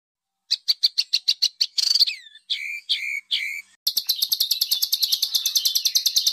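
A small bird sings fast, sharp high chips, then three harsh buzzy notes that slur downward, then a rapid scratchy chatter. No other sounds.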